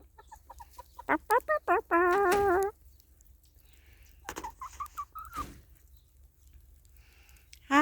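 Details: Chickens in their straw-bale-insulated coop during a snowstorm give short, repeated clucks and a drawn-out wavering squawk, with a person's voice nearby.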